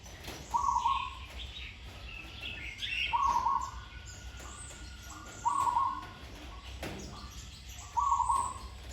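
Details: Zebra dove being trained, praised for a sweet voice and good song pattern; four rolling, bubbly coo phrases come at intervals of roughly two and a half seconds, while other small birds chirp thinly in the background.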